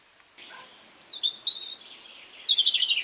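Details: European robin singing in spring in a garden: thin high whistled notes, a long sustained tone near the top, then a fast twittering trill of rapid pulsed notes toward the end.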